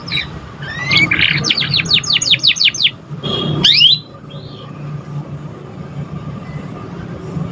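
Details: Young canary just learning to sing, a recording meant as a lure to stimulate other birds: a quick run of rapid descending chirps, then a sharp rising sweep before the song stops, over a steady low hum.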